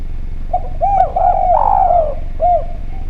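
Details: Spotted dove with a clear, frequent voice, recorded as a lure: a short coo, then a flowing string of arched notes ending in a long, descending slur, and one last soft coo after a gap. Low hum beneath.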